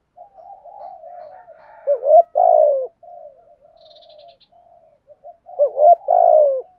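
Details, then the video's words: Spotted dove decoy bird, trained daily to coo and stimulate wild doves: soft, murmuring low coos run along, then a loud two-part coo bursts out near two seconds and again near six, with no other sounds. "chim cu gáy mồi bài bản thúc gù dùng kích bổi nhanh nổi, luyện mồi gáy theo hàng ngày"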